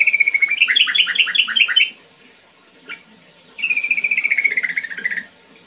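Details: Sooty-headed bulbul singing ngetir-ngerol style, a lure to make young or silent birds respond. A fast rolling trill of bright chirps lasts about two seconds, then a short pause and a single note, then another descending rolled trill.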